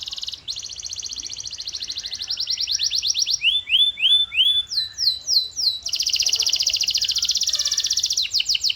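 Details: Canary in full song with a long, fast buzzing trill, a handful of ringing upward sweeps, then another rapid, bright trill.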